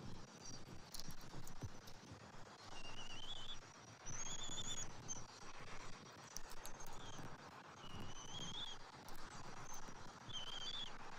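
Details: Bald eagle at a nest on the morning of 27 January 2024, as the adult male brings fish and red meat and feeds the eaglet. Thin, high whistled calls with a slight rise and fall come in short bursts, about six across the clip, over low rumbling background noise.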